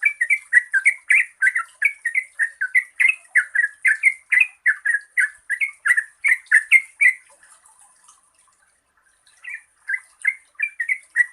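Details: Yellow-vented bulbul (trucukan) in a long, rapid 'gacor ropel' song style, used to prompt lazy birds to sing. Bubbly, chattering notes repeat about three per second for eight seconds, then a short pause before the song resumes. A steady high hiss runs throughout.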